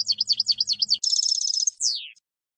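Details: Goldfinch song meant to train young decoy birds for contests and trapping: wavering swooping notes over a low hum, then a metallic buzzy trill and a long falling whistle.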